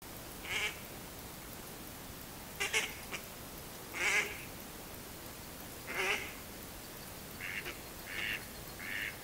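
A mallard gives raspy, nasal quacks, single and spaced about two seconds apart, then a quicker run of three shorter quacks, over a faint steady hiss.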